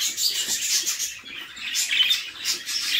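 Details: Mother budgerigar feeding her chicks in a nest box; the young give a steady stream of harsh, high, scratchy chirps that rise and fall in loudness, overlapping throughout.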